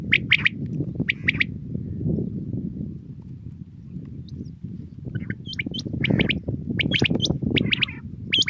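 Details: Common quail (batair) recorded in the morning in 2020: short, sharp high chirps in quick groups of about three notes, repeated several times, over a steady low rumble of outdoor background noise.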